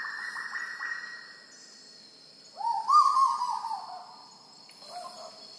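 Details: Black-billed Koel (Eudynamys melanorhynchus) on Sulawesi giving a loud, rising whistled note over a second long, then a fainter shorter one, over a steady high insect buzz.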